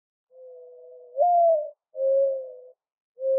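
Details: Soft, hollow mourning dove call: a drawn-out low coo that lifts into a stronger note, followed by two more level coos, clear against silence.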